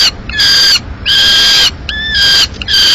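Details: Madrid, 15 May 2016, peregrine falcon nest with the male bringing a live swift: three long, grating harmonic calls, the middle one slightly lower, with clean gaps between.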